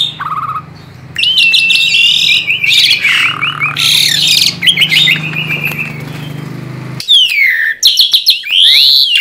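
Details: Vigorous song of a tame Asian pied starling, serving as a lure for young birds: dense buzzy chatter and rattling notes for several seconds, then clean swooping whistles after a sudden drop in background hum.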